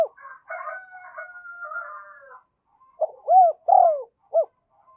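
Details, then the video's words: Spotted dove kept as a decoy to lure wild doves, giving a single phrase of mellow arched coos with a short end note, after several seconds of thin chattering and whistled calls from other birds. "Chim Cu Mồi Thúc Và Gáy Gọi Bổi Nhanh Về Cội"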